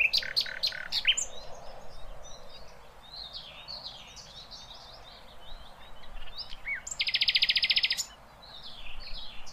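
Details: Flycatcher (sikatan londo) in rough 'tembakan' song for training other birds: loud opening chips, then varied high twittering, a dense buzzy burst near the end, and steady background noise.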